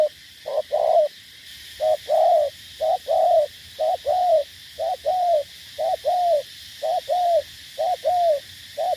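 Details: Spotted dove from Cà Mau, Vietnam, a decoy bird used to lure and fight rival wild doves, cooing steadily: soft low hollow notes in doubled pairs, a short note then a longer arched one, repeated about once per second over faint low hum.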